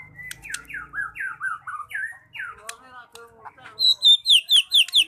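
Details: White-rumped shama (murai batu) singing lively (gacor): a run of short downslurred whistled phrases, then a burst of loud, high, sharp notes repeated about every quarter second near the end, with a low hum at the start.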